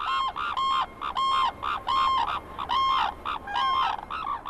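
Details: Wild pair of red-crowned cranes in Hokkaido, Japan, calling together after landing and bowing; a territorial family unit. Loud bugling honks with the male usually leading and the female following, repeated rhythmically about every half second.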